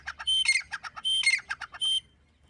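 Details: Grey francolin, locally called teetar or dakhni teetar, giving a loud, harsh, rapidly repeated series of squawking notes in two rhythmic bursts over about two seconds, then stopping; no other clear sounds.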